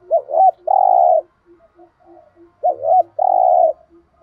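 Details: Spotted dove giving the thúc gù cooing style used to provoke other doves to call: two phrases, each a pair of short bouncing notes and then a long, steady, low coo, with quiet murmuring between.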